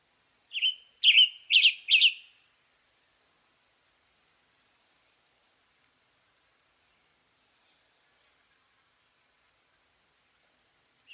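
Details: Western North American western tanager delivering a quick series of four hoarse, burry song phrases in under two seconds, followed by a long near-silent stretch and a faint final note.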